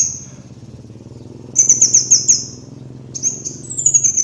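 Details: Kolibri wulung (sunbird) master song for training birds: a high note, a pause, then a run of about six sharp, evenly spaced trilled notes, followed by further rising high phrases.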